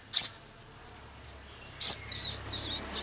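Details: Male Javan cochoa in lively song with rough chattering. Sharp high bursts are followed by a string of short, buzzy, evenly spaced high notes like quick typing, in a quiet setting.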